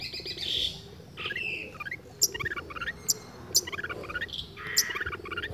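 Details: Singing long-tailed shrike copying other birds' sounds: bursts of high chirps and rapid trilled clusters alternate with sharp ticking notes, with a faint low rattle underneath.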